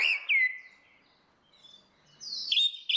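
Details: Female and male orange-headed thrush singing ngeplong as a lure for a silent bird. A clear downslurred whistle, a quiet gap, then high, thin, bright whistled notes at the end.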